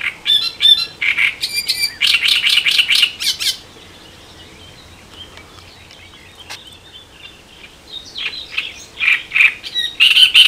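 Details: Great reed warbler (Acrocephalus arundinaceus) on the Elbe river, Germany, sings loud, harsh, croaking notes repeated in quick chattering runs, with a quiet pause before another grating burst.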